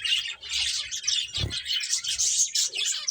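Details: Brief, unbroken wash of high, overlapping finch twittering, with one low thump in the middle.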